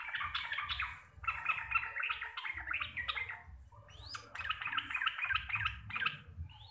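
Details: Energetic 'gacor receh' chatter from a sooty-headed bulbul of the local Java type: continuous runs of quick warbling chirps, a sharp rising whistle midway, then more rapid phrases, low rumble beneath.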